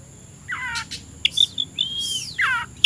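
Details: Oriental magpie-robin in the afternoon, described as ready to fight a rival: descending buzzy trills, a long arched whistle and brief high chips, moderately loud over a quiet steady hum.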